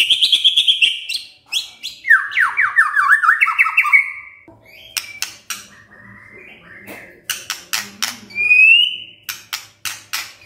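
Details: Kretekan of a white-rumped shama, used to stir up emotion. Bright high chattering whistles give way to a cascade of quick descending slurred notes, then scattered sharp clicks and a short upward whistle near the end.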